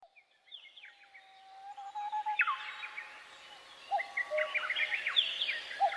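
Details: Forest birdsong with several birds. A long, steady low whistle gives way to a tangle of rising and falling whistled phrases. Short sharp notes and varied twittering overlap toward the end.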